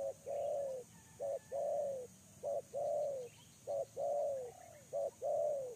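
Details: Lure spotted dove cooing steadily, each phrase a brief clipped note then a drawn-out, slightly falling coo, repeated regularly about every second and a quarter, with faint distant bird chirps.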